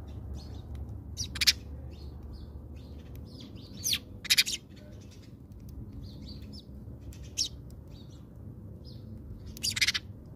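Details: House sparrows at a bird feeder in South Africa, feeding on provided food; sharp, scratchy single chirps spaced several seconds apart, some in quick pairs, over a low continuous hum.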